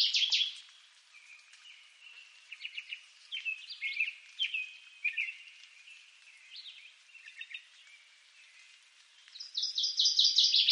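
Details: Brief ringing song bursts of a northern waterthrush open and close the recording, each made of quick repeated sharp notes. Between them, other birds give scattered soft chirps and short rising whistles.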